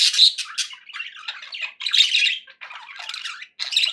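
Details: Budgies calling happily indoors, separate bursts of grating warble and squawk with short silent gaps between them, each burst lasting under a second.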